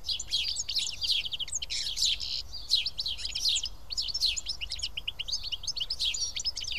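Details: House sparrows, several birds feeding together in Karyotissa, Greece, give dense overlapping chirps and short tweets, many at once with no steady rhythm, over a faint low background rumble.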